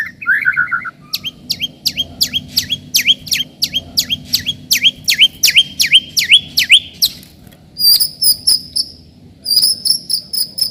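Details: White-rumped shama song played to provoke rivals and to toughen young birds into fighters; rapid series of sharp, repeated downslurred whistled notes in a tight run, then higher clipped double notes, with faint background hum.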